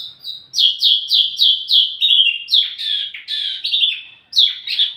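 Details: Wambi mini singing as lure and tutoring audio for tledekan: loud, quick repeated down-slurred chirps, about three per second, shifting into buzzier broken phrases, a brief pause, then a fresh burst of sharp whistled notes.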